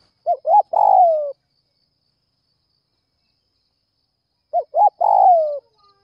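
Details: Spotted dove calling intensely in the early morning to lure other doves: two short clipped notes, then a long hoarse coo that slurs downward. The phrase repeats about four seconds later, with silence between.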